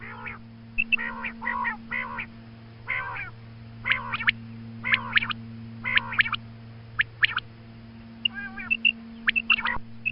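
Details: A female quail calls in the morning, giving a string of nasal, quacking notes about once a second, followed by sharper high chirps and short whistled notes, all over a steady background hum.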